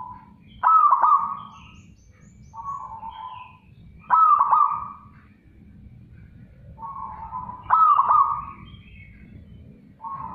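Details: Zebra dove calling loudly and clearly, three strong cooing phrases roughly every three and a half seconds, each starting with stuttered pulses and holding a steady ringing note, with softer trailing notes between and a low hum behind.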